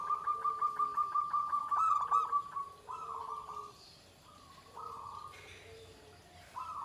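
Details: Zebra dove of the Pendowo Mijil line, shrill drawn-out 'ke tek kuk' song: a quick run of about a dozen evenly spaced short coos, then several longer steady cooing notes with pauses, and low cooing underneath.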